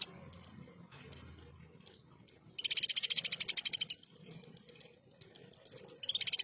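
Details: Ruby-cheeked sunbird (konin) with coarse 'tembakan' song for training contest songbirds: scattered thin high chips, then a long fast buzzy rattle, a string of clear high piping notes, and another harsh burst.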